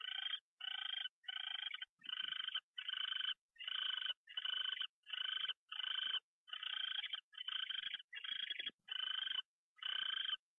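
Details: An owl on its morning fly-in at 6:14 AM, 27 January 2013, gives a steady series of harsh, breathy screeches, roughly fourteen bursts, each under half a second, at a fairly regular pace with brief silences between.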